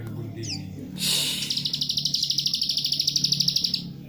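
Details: Plain prinia delivering a rapid, dry, buzzy trill of closely repeated notes, steady and high-pitched for over two seconds, used as a lure call to provoke other prinias into singing; a low hum underneath.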